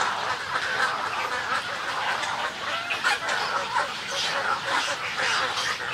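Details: Many snowy egrets in a colony with colony and greeting calls, a thick mix of grating, gargled croaks and squawks rising and falling in waves.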